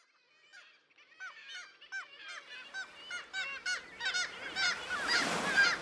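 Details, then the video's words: Kittiwakes calling at breeding cliffs at Bempton Cliffs, East Yorkshire: many overlapping nasal, wavering calls with repeated rising-falling notes build steadily into a dense colony chorus, growing louder toward the end. "Kittiwake at Bempton Cliffs"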